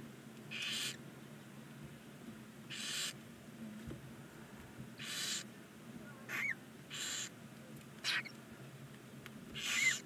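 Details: In a nest box beside a chimney in Ságvár, Hungary, nine 19-day-old barn owl chicks give rough, airy hisses, seven or eight bursts spaced one to two seconds apart, with a faint low hum beneath.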